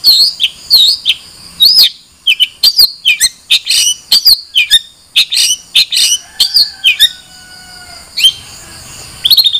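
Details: Long-tailed shrike in varied song: rapid alternation of sharp chips, harsh rasps and slurred whistles, with a long thin whistle late in the phrase before a brief pause.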